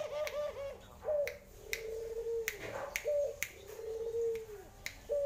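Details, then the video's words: A tame Barbary dove calls vigorously: low, rolling coos that rise then sag, about every two seconds, with sharp tapping clicks in between. "PUTER BALI GACOR"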